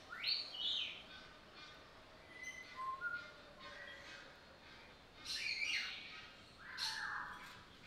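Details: Captive sulphur-crested cockatoo in Belgrade Zoo, filmed August 2022 with a Panasonic AG-CX350: harsh, rasping squawks open and close the clip, with thin whistled notes from other birds in between.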